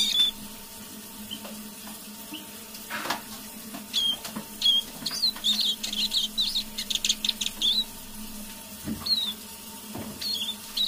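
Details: Quiet evening song of a caged decoy Eurasian siskin: isolated high whistled notes at first, then a burst of fast twittering mid-clip, a few clicks and rustles, over a constant indoor hum.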